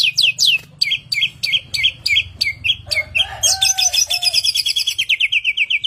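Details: Asian pied starling, a kept samyong singing vigorously: repeated bright downslurred chirps, a short burst of harsh lower notes, then a fast rattling series of high ticking notes over a low background hum.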